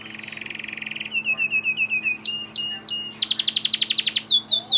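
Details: Timbrado Español canary singing in August 2020: a fast even trill, then rows of repeated falling metallic notes, sharper chipping tours, and a rapid pulsed rattle, all high and continuous, over a low steady hum.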